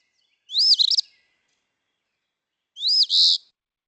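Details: Eastern phoebe (Sayornis phoebe) song: two raspy, two-part "fee-bee" phrases about two seconds apart, each a sharp rising note then a buzzy ending; the bird says its own name.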